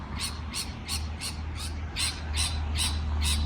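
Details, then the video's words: Rapid series of harsh, high chirps from a parrot, about three each second, over a loud, steady, low droning hum. "美丽的鹦鹉鸣叫beautiful parrot chirping sound call"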